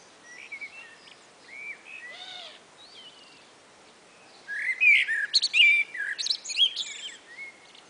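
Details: Two common blackbirds chatting on a spring afternoon: scattered soft fluted notes give way to a loud, tumbling phrase of rich whistles and thin, shrill twitters, followed by a quieter reply.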